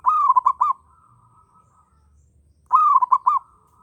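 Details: Zebra dove, a local bird in breeding condition, gives two mellow cooing phrases about two and a half seconds apart. Each is a drawn-out note breaking into three or four clipped coos, with a soft lingering tail.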